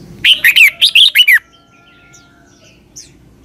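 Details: One phrase of southern-style Red-whiskered bulbul song from Thailand, played for young birds to copy: six quick, bright, slurred whistles ending on a falling note, followed by near silence and a faint chip.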